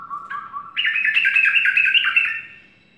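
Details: A sooty-headed bulbul sings in the morning. Low, even notes open the clip, then a bright, tumbling phrase of quick warbled notes swells and fades.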